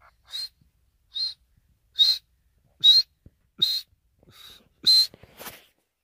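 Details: Grey francolin giving a series of short, high, piercing whistled notes spaced roughly one second apart, each clear and separate against a silent background.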